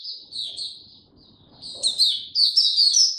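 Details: High, thin, slurred whistles from an Oriental white-eye, recorded 02052022, growing into rapid, bright, twittering notes that climb in pitch near the close.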